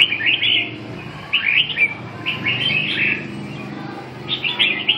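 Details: Red-whiskered bulbul singing repeated bubbly warbled phrases, each about half a second long, roughly once a second, over soft low background noise.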